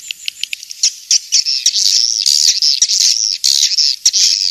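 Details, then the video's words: King's Star swiftlet sound opening with separate sharp chirps, then merging into long, wavering high squeals and scratchy twitters. "Suara Walet King'S Star"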